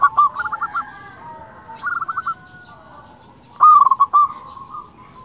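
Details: Local zebra dove song meant to rouse other doves: two quiet stuttering trills, then one loud rolling coo phrase ending in a held note, amid faint dove calls.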